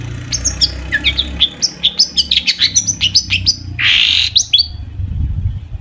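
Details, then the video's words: Long-tailed shrike in full song packed with imitated phrases, used to prompt other shrikes to sing: a fast run of sharp, high chirps and whistled slurs, then a harsh burst of buzzy noise near the end, over a low rumble. "cendet gacor FULL ISIAN buat PANCINGAN CENDET AGAR BUNYI"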